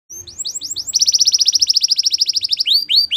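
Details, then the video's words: Singing Belgian canary gives a few rising chirps, then a long, fast, buzzy trill of tightly packed notes, finishing with clear upward-slurred whistles. "Belgian Canary Singing"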